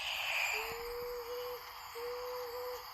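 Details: Marbled frogmouth, recorded call played back during a talk on southern Queensland night birds, where the sexes' calls differ: two long, level, hollow whistled notes, each about a second, separated by a short gap, over hiss and a brief higher noise.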